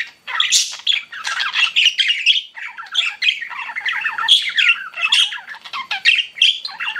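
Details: Cute pet budgies keep up a lively warbling chatter of rapid chirps, buzzy squawks and little descending whistled notes, nearly without pause.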